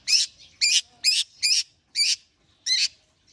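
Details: Long-tailed shrike warming up with six loud, grating, buzzy notes, each a short rasping burst, spaced roughly every half second, with a longer gap before the last.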